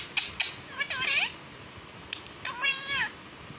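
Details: Domestic parrot uttering Balochi words: two clicks, then a buzzy harmonic phrase, a pause, and a second, lower, wavering word-like sound.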